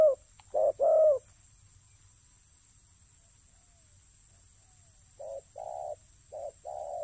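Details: Spotted dove decoy at a ground trapping site gives two loud paired coos, then falls silent for several seconds before softer short-and-long coo pairs resume near the end.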